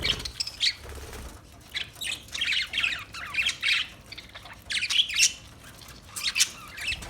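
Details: Parakeet heard in bursts of raspy chirps and squeaky warbles separated by short quiet gaps, fairly soft overall.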